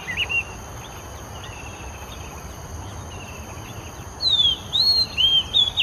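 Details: Oriental magpie-robin singing in Singapore, an individual with its own unique tune: after a quiet stretch of faint chirps, clear high whistled notes, sliding up and down in short varied phrases, under a steady insect-like hiss.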